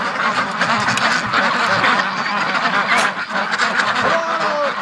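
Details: Six Muscovy ducks that stayed out overnight wait outside their pen at the morning feeding, hungry; dense overlapping quacks and calls from the flock fill the air, with a person talking and laughing nearby.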